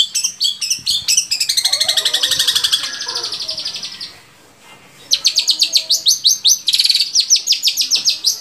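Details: Long-tailed shrike song, played to stimulate captive shrikes to sing: rapid chattering high notes with a dense buzzy trill, a brief pause near four seconds, then fast repeated sharp chips and trills.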